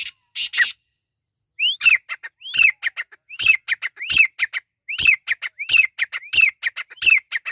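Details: Partridge chick calls, Irani teetar: two rough opening notes, then repeated phrases of a rising whistle followed by several harsh, crackling notes, steady and insistent.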